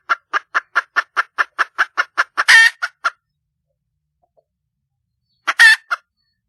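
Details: Wild junglefowl hen calling for a male partner: a fast, regular series of clucks breaks into a harsh squawk, then after a pause another squawk with clucks.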